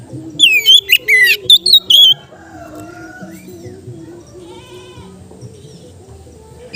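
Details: Kept Oriental magpie-robin, its relaxed song used to train other kept birds: a two-second burst of loud, sharp whistles and rapid chips, then near silence with a faint low hum.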